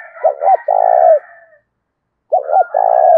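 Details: Decoy spotted dove of 'thổ' voice style, calling to stir wild doves to fight, delivers two phrases of two clipped notes followed by a long low coo, with a soft overlapping call behind.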